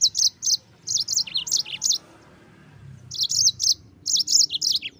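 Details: Yellow-fronted canary song used to teach white-eyes to sing: quick bouncing phrases of high sweet chirps, some dipping lower, delivered in two bursts separated by a silent second.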